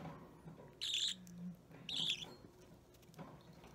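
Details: Three-week-old budgerigar chick being hand-fed, a green or opaline bird, utters two loud rasping begging squawks about a second apart, followed by quiet handling sounds.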